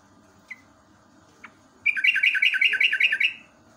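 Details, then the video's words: Yellow-vented bulbul (trucuk) giving a ropelan roll in the morning, intended as a master song for caged birds; two isolated chips, then a dense, rapid chattering run of bubbly notes lasting about one and a half seconds. "JOGJOG/TRUCUK ROPELAN SAKTI"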